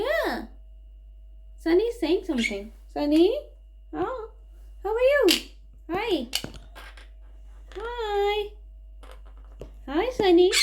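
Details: Monk parakeet kept as a pet, talking indoors: a series of clipped, voiced, word-like syllables with swooping pitch, spaced about a second apart, including one longer steady nasal syllable near the eighth second.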